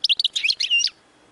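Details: A European goldfinch (Carduelis carduelis) sings a quick, tinkling burst of high, liquid, varied twittering notes, lasting under a second before falling silent.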